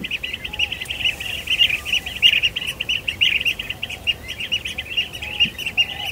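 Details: Blue-tailed bee-eaters on Kinmen in the breeding season, around mating birds, calling together: rolling, liquid trilled notes that overlap almost without pause, with a few fainter low whistles underneath.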